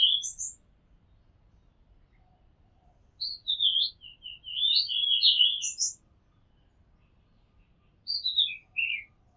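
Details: Oriental magpie-robin song taken from a rooftop: clear, high whistles and twittering runs of rapid notes in bursts, then silence, then a short descending phrase.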